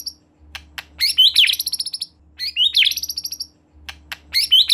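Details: Lively white-rumped shama (murai batu gacor) song, used to prompt a young shama to sing: short ticks, then fast upward-sweeping whistled phrases breaking into rattling trills, repeated twice with brief gaps.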